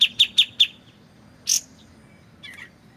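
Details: White-shouldered triller giving four rapid high chips followed by a single buzzy rasp and a soft scratchy note, with pauses between phrases and quiet trickling water beneath.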